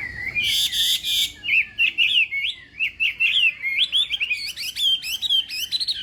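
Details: Hwamei in a singing contest, morning practice: opens with a harsh rasping burst, then a chain of quick upslurred and looping whistled notes, each phrase short and repeated several times a second.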